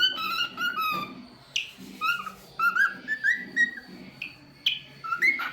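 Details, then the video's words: Pet cockatiel singing and making varied sounds: clear, rich whistled notes, many sliding upward, come in short bursts and phrases about every second or two. A steady low hum runs underneath throughout. "Talkative Bird 🐦 Singing n Making Different Sounds"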